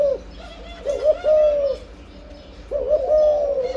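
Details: Breeding spotted dove repeats a gentle coo phrase, a hurried stutter leading into a drawn, even note, with a quiet pause between phrases.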